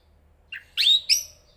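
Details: Chestnut-capped thrush (Zoothera interpres) singing: a brief high chirp, then a louder, clear whistled note that rises slightly, followed by a bright chirped note, all within about one second against a quiet background.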